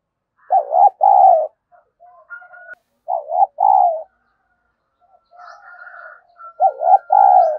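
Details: Decoy spotted dove used to provoke rivals, giving its daily cooing: three loud, husky, paired coo phrases, each a short note then a longer one, with soft murmured notes and a faint thin whistle in between.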